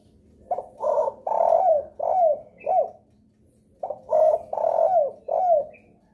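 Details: Spotted dove lure call used to draw answers from other doves: two phrases of low cooing notes, each a short note, two long burry coos and falling tails, separated by a pause; faint steady hum beneath.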